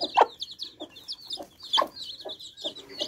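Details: Baby chicks at fresh water peep in a lively high chorus of quick descending notes, with loud short broad clicks recurring about every half second.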